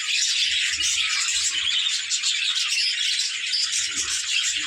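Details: Many budgerigars playing together, their busy chattering forming a steady high wash of twittering and buzzy warbles with no pauses and only a few faint low knocks beneath.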